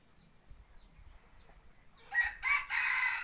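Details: Decoy rooster used for hunting in the forest, crowing: low background rumble, then a loud ringing crow of roughly a second in two or three harsh segments.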